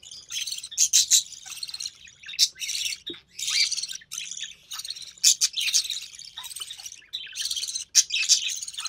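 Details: Captive budgerigar chick of the recessive pied variety, the only one of three hatchlings to survive, calling during feeding by its mother. A fast series of harsh, scratchy chirps and rasping bursts, closely spaced and uneven in rhythm.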